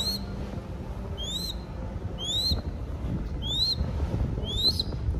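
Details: Captive crested goshawk chick in Cambodia, kept for falconry, calling while being fed: thin rising whistled squeals with a sharp upward sweep, five calls about once a second over low rumbling background noise.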